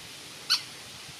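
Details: A juvenile little grebe hiding in reeds gives one brief, thin, high squeak against a faint, steady background hiss.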